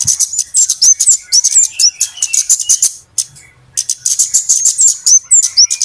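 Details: Noisy flowerpecker calls meant to lure birds into traps. Quick bursts of piercing chips with looping whistles break off for about a second, then resume as a busy high twitter.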